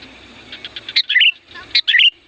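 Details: Sooty-headed bulbul song used to call in wild birds: two emphatic, fluty phrases starting with a sharp chip and rolling into a bubbly twist, after soft rhythmic clicking and a thin high whine.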